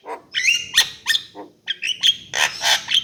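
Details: Javan myna song of loud rasping squawks and short whistled slurs, about three notes per second, uneven in rhythm, with no other sounds clear.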